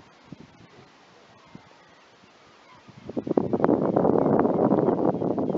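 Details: Canada geese on the water: a near-silent opening, then a sudden outburst of loud, overlapping nasal honks from several birds, about three per second.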